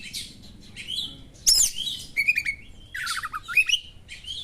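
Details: Varied Oriental magpie-robin (kacer) song with sharp small-bird phrases to rouse other kacer: thin whistles, a loud harsh burst, short trilled notes and a tumbling, falling warbled series.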